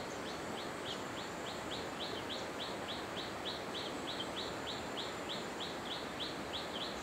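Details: Hill blue flycatcher at Khun Korn Waterfalls, Thailand, 2012, giving short, sharp downslurred ticks, about three a second, steady and unhurried, over the loud rush of falling water.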